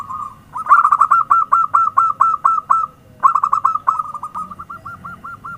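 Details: Zebra dove lure call, clear and close: two runs of rapid, stuttering coo notes, each ending in softer, evenly spaced rolling coos.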